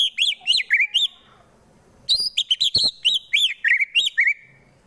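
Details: Caged fighter White-rumped shama from Wonosobo, Central Java, Indonesia, with harsh song used to provoke rival birds into fighting: rapid bursts of loud, high, arched whistled notes, two phrases split by a brief pause.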